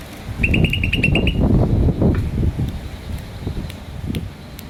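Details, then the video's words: Green starling uttering a brief burst of about eight quick high chirps, partly masked by loud low rumbling and knocking noises that continue afterward. "Green Starling Chirping Sound"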